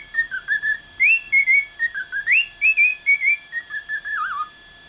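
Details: A pet cockatiel that learned to sing after adoption whistles a clear, tuneful phrase of rising and falling notes, like a learned melody.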